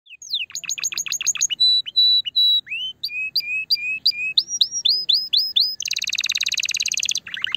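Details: Canary song meant to stimulate a female for breeding: fast downslurred trills, steady whistled notes near mid-high pitch, lower looping phrases, then a dense buzzy rattle before a final sweep.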